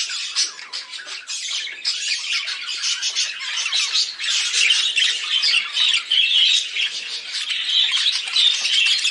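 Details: Budgerigar (Melopsittacus undulatus), chatter.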